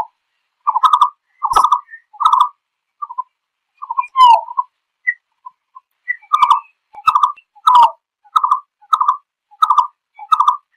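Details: A Green-billed malkoha gives a contact call gathering the flock: hollow, mellow 'ko' notes in steady runs, about one and a half per second, broken by a few sharp clicks and one brief squeaky note.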